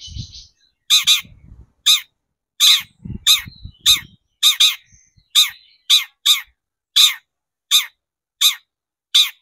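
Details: Lure recording of a long-tailed shrike, played to stir shrikes into song: loud, rasping squawk-like notes repeated roughly every half second to second, with some low handling rumbles in the first four seconds.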